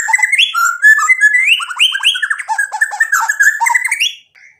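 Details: Fast-paced white-rumped shama song of chattering, rising whistled notes run together at about four per second, lively and varied, ending abruptly.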